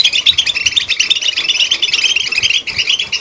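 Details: Goldfinch chirping in a rapid, continuous twittering stream of high tinkling notes with quick trills and buzzy chirps.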